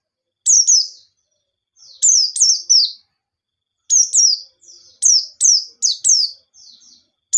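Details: Lively wild-style white-eye song with sharp notes, a lure for untrained birds: irregular groups of high, slurred-down tweets, some softer notes between them, quickening toward the end.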